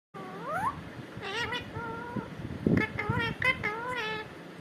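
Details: Parrot talking, said to repeat the word "katore": a rising opening syllable, then a run of short, nasal, harmonic-rich voiced syllables with gliding pitch over about four seconds, against a low background rumble.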